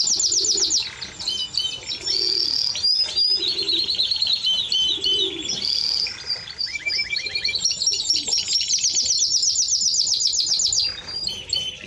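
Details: Timbrado Español canary delivering continuous song of fast trills and rattling repeated notes in changing tempos, ending with a softer lower phrase.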